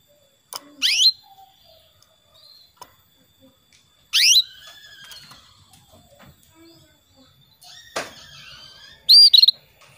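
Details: Female canary calling to a male, used as a lure to get male canaries singing; three sharp rising chirps sweep steeply upward, spaced a few seconds apart, with faint softer twitters and a quiet background between them.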